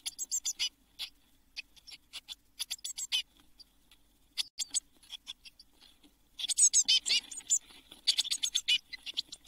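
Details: Eurasian blue tit chicks, seven siblings inside a nest box shortly before all fledged at Midsummer, 24 June 2022, giving high, thin, rapid squeaky calls in dense bursts, with a louder busy chorus in the last few seconds.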